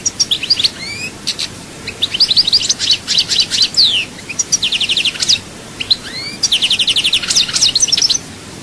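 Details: European goldfinch, chaayba-style song, Souk Ahras: varied bright twitters and slurred whistles, a rapid even trill, upward-sweeping notes, then another fast trill of repeated chirps.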